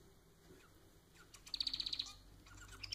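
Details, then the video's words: Pet society finch giving a single rapid trill of about nine buzzy pulses in under a second after a quiet start, followed by faint scattered chirps. "Vídeo para fazer seu MANON cantar muito!"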